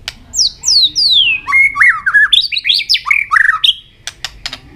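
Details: White-rumped shama singing hard in a contest, many voices, tail flicking: three high falling slurs, then rapid varied whistled notes jumping in pitch, ending with clicks over low hum.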